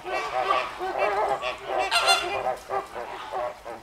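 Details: Flock of noisy flamingos at the Llanelli Wetland Centre in Wales, 21 August 2021: continuous overlapping nasal honking and gabbling from many birds, goose-like calls repeated rapidly with no pause.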